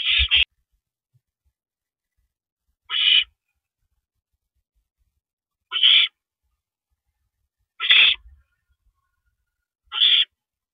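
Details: Owls at a nest on a porch during a rabbit prey delivery at 3:52 AM on 7 May 2012: harsh, raspy hissing screeches, each about half a second long, repeated every two to three seconds in otherwise quiet night air.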